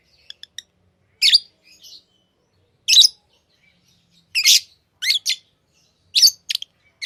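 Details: Pet lovebirds chirping: a few tiny ticks, then loud harsh high chirps and double squeaks at irregular intervals, with small whistled notes between.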